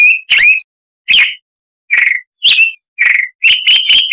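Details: Harsh song of the Chalk-browed Mockingbird (Mimus saturnin), a tutor recording for cage birds: varied separate rasping notes, some with swooping slurs, ending in a fast run of four clipped notes with no pause between them.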